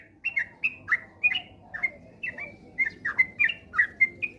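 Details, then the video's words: Lure recording of sooty-headed bulbul song, played to prompt rapid, frequent singing: repeated short bubbly whistled phrases with quick up-and-down slurs, spaced unevenly about every half second over faint background hum. "pancingan trucukan agar cepat ropel gacor rajin bunyi"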